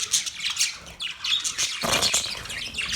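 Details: Budgerigars, Australian parrots, chirping continuously: a busy stream of high, scratchy chirps and short squawks overlapping without pause.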